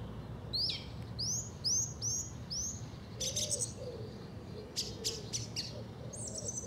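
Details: Song thrush in South England singing one sharp, upswept whistled phrase about five times in quick succession, then switching to clicky, rattling high notes, with a low rumble underneath.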